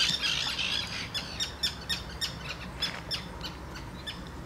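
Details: Common tern calling: a series of sharp, harsh, high-pitched notes repeated irregularly, about a hundred per minute. The notes are loudest at the start and softer toward the end, over a low, steady background rumble.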